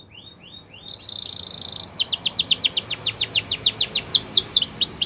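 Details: Belgian canary song used for training young canaries: a few rising notes, a long steady buzzy trill, then a rapid even run of downswept whistles repeated several times a second.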